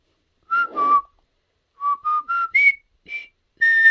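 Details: Mimicking the River Kwai March, a pet hill myna whistles a falling two-note opening. A quick four-note ascent follows, then a higher note and the start of a long sustained tone, all loud and tonal.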